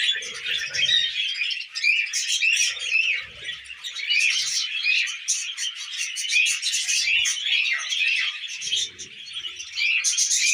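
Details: Pet budgies eating millet, a chorus of overlapping high chirps, warbles and scratchy notes lasting throughout, with occasional soft low knocks and rustles.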